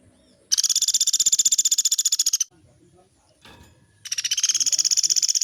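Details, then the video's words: Pelatuk beras woodpecker in long rolling bursts for caged-bird training: a two-second burst of crisp, fast pulsed high notes, a pause with a faint low knock, then a second rattle starting. "SUARA MASTERAN BURUNG PELATUK GACOR"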